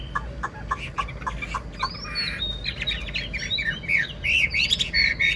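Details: Old wild-caught Chinese hwamei, caged, beginning with short sharp chirps, then launching into varied whistled slurs and rich warbling phrases that grow louder toward the end.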